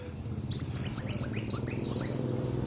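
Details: Kolibri wulung sunbird, presented as a master and lure recording for training birds, gives a high, thin, rapid run of squeaky chirping notes. The notes step slightly downward over about two seconds, with a low background hum.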